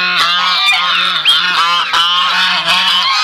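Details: Buff Sebastopol goose with its goslings: bright, dense honking and cackling with one sharp upward whistled note near the middle, continuous loud group calling.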